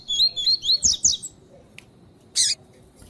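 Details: Captive female coleiro tui tui giving piado calls used to excite a male during training: a rapid run of high thin chirps, a faint pause, then one harsh broadband chip.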